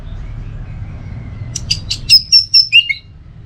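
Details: Orange-headed thrush, recorded to train and prompt caged birds to sing, gives a brief run of loud, sweet whistled notes near the end, preceded by faint scratchy sounds and a quiet, constant low hum.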